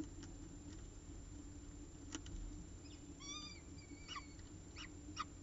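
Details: Peregrine falcon at the CSU Orange nest on the evening of 14 October 2019, with the last prey of the day: scattered clicks, then a brief harmonic whine and a level thin note, followed by three harsh descending chips.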